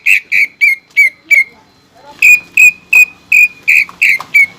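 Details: Greater green leafbird (cucak ijo), kept caged, singing with pelatuk bawang mimicry: loud, piercing, slightly falling whistled notes repeated about three per second in two runs separated by a short pause.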